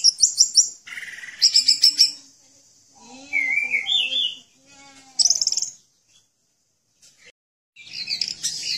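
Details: Orange-headed thrush song used for training caged birds and prompting silent ones to sing: bursts of high chattering notes, a few lower whistled slurred phrases, then a brief gap before more squeaky, scratchy trills.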